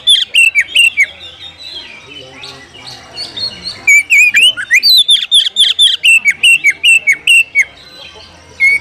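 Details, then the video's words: Kacer (Oriental magpie-robin) sounding a fight challenge to stir a rival to open its tail and show its full repertoire; lively whistled phrases mixed with harsh chacks, a softer middle passage, then a long dense burst of rapid notes. "panggilan kacer mencari lawan tarung"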